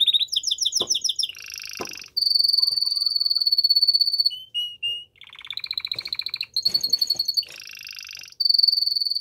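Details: Male canary singing strongly to stimulate a female to mate, chaining varied trills: paired-note rolls, buzzy low rattles, a long steady high trill, a few slurred whistles, then more fast rattling phrases.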